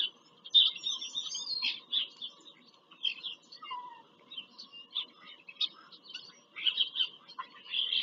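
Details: Pennsylvania farm country bald eagles visiting the nest on 5 February 2023, nest-camera audio: squeaky high chitters and thin whistles in loose series, with a soft descending note midway and a low hum behind.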